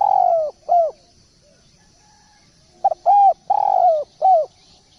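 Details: Tutor recording of a busy singing spotted dove: a long coo sliding downward, then a rounded shorter coo. After a pause, a brisk run of three or four coos follows, each bending down at its end.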